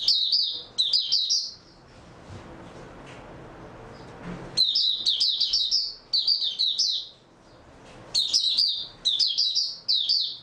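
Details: White-eye (mata puteh) recorded 3 March 2022, singing bursts of high, rapid, twittering warbled notes in several phrases about a second long, separated by short quiet gaps with low background hum.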